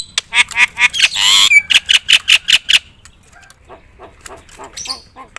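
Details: Javan myna, a loud singing bird used to provoke other mynas into song: a run of harsh, buzzy squawks repeated rapidly, a long rasping burst, then a softer, scratchy chatter trailing off.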